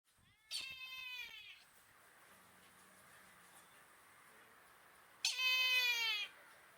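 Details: Brahminy kite at Kasavanahalli lake, Bangalore, India, giving two drawn-out, wheezy, mewing cries about a second long each. They are strongly harmonic and sag slightly in pitch, separated by a quiet gap of several seconds.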